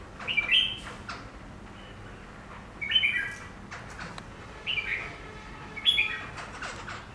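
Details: Captive black-throated laughingthrush placed in front of a mirror, giving four short, loud, harsh whistled phrases spaced a few seconds apart, with faint clicks and rustling between them.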